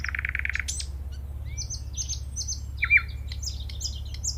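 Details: Common nightingale (Luscinia megarhynchos) singing in varied phrases: a rapid buzzy trill, repeated short high notes and sharp whistles, over a steady low hum.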